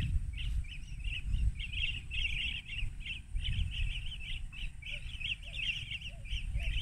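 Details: Rufous-crowned bee-eaters recorded on a Huawei P20 through a spotting scope at 14:30 on March 19, 2021, in Banna, Ilocos Norte, Philippines. Rapid, bright chirping notes run throughout. A few lower, softer notes come near the end over steady low rumbling noise.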